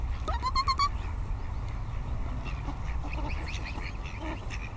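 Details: Mute swan calling: a short nasal, harmonic note rising then levelling off within the first second, followed by scattered softer chirps from other waterbirds over a steady low rumble of wind.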